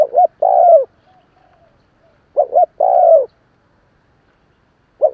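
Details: Repeated spotted dove cooing used to get a decoy bird calling. Each phrase has a clipped double note and a long descending coo, repeating every two to three seconds in near silence.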